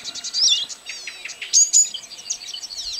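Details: Singing Blyth's reed warbler recorded 12 June 2011 at Kępiny Małe, Pomerania, Poland; rapid run of high varied notes, buzzy chatter and sharp whistled accents in a fast unbroken stream.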